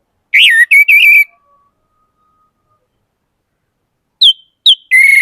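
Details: Loud whistled song of an orange-headed thrush: a slurred, warbling phrase, a quiet gap, then two short high notes leading into a sustained whistle.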